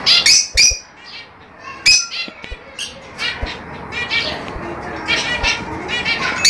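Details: Fischer's lovebird chatter meant to encourage mating: loud, harsh squawks at the start, then a busy run of shrill, overlapping high chirps and twitters.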